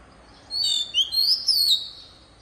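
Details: Oriental magpie-robin, a decoy bird singing in the wild-voice style, used for training young birds' voices: a burst of clear, slurred whistles with bright rising and falling glides and short sharp accents over about one and a half seconds, against faint low background hiss.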